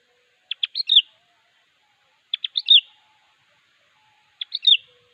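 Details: Sooty-headed bulbul singing to call a rival: short bubbly whistled phrases of four or five quick notes, the last slurred and rising-falling, repeated about every two seconds against a quiet background.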